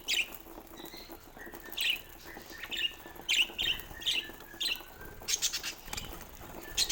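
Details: Pet budgies playing with a toy, giving a string of short bright chirps and warbling notes, about eight in quick succession, with some rustling and light tapping between calls.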